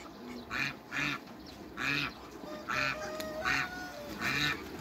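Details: Backyard meeting of hybrid Cayuga and Muscovy ducks: about eight clear, harsh quacks in a loose rhythm, with a few thin whistled tones sounding between them.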